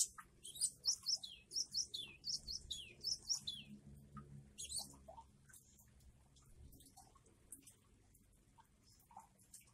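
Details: Java sparrow singing a varied song alongside rainwater: quick clusters of high, bell-like clicking notes in rhythmic bursts over the first five seconds, then scattered softer chips over a low watery background.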